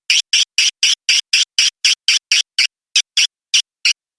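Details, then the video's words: Swiftlet lure call of the 'tombak raja' style, used by swiftlet farmers to attract birds to swiftlet houses: a quick series of identical buzzy chirps, about four per second, with a short gap near the end. "SUARA WALET TOMBAK RAJA"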